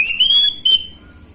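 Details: Orange-headed thrush lure song, gamblingan style, to trigger replies from untrained birds: a bright rising whistle held steady, then a second short whistled note before fading.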